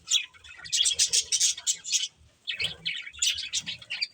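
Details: Budgies of a family group keep up a busy twittering of high, scratchy warbles in two running bouts separated by a short lull.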